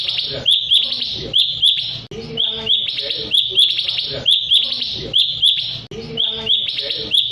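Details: Sooty-headed bulbul song used to prompt rivals into calling back; short phrases of bright, high, slightly buzzy notes, each ending in a clipped chirp, repeated about once a second.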